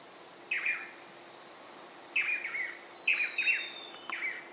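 Swallow-tailed manakin giving short, slurred, buzzy notes in clusters of two or three, about a second apart, over a thin, steady high insect whine.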